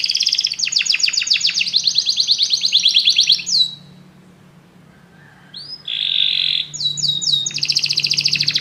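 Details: Many canaries singing together after hearing music, with long runs of fast repeated trilled notes, a quiet gap, a buzzy rolling phrase, and more rapid high trills.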